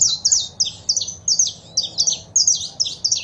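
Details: Saffron finch female calls and male song, played to stimulate a pet bird into singing: rapid high chirps and sweeping notes in quick bursts, several per second, over a faint low background hum.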